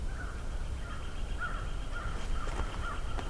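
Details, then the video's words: Several American crows, heard coming closer, caw in a loose series, each hoarse note about half a second apart, fairly distant over a steady low rumble, at Johnston Harbour in mid-May 2023, about 10 °C. "Sounds like some crows are coming this way. This is nice."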